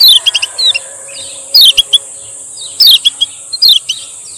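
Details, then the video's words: A male Lemon-bellied white-eye of the Lombok type gives "ciak ciak" calls, bursts of sharp, high, falling chirps in quick clusters about once a second over a steady high insect-like hiss, used as a lure and tutor call. "SUARA BURUNG KECIAL KUNING"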